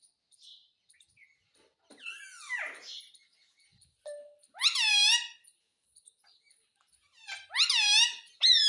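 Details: Indian ringneck parakeet said to be talking Hindi words such as mummy and mitthu; soft squeaks, then a wavering call, then a loud harmonic utterance and a final pair of strong rising-falling calls in a quiet room.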